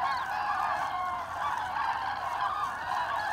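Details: Common cranes on autumn migration, 25 October 2021, Hesse, Germany; dense flock calls, overlapping rolling trumpeting notes layered continuously throughout, no gaps between callers.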